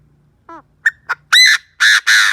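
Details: Chinese francolin used as a decoy, calling to lure wild birds: a short falling harmonic note, two quick sharp notes, then three loud, harsh, drawn-out blasts in quick succession.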